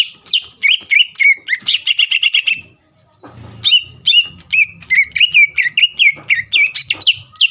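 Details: Greater green leafbird in loud song meant to provoke a rival bird: fast repeated downward whistles and trills, a short gap with low rumble midway, then a steady run of similar notes.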